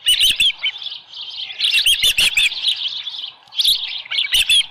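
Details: Osprey nest at Dunrovin Ranch, 24 July 2018, 6:52 AM, with a headless fish. Softer, chattering high chirps come in loose bursts, with a few louder sharp notes between quieter stretches.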